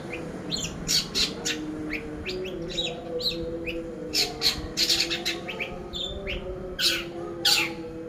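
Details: Long-tailed shrike singing, used as a lure to train other birds; quick bursts of sharp, high, chattering chirps in uneven clusters over a steady low hum.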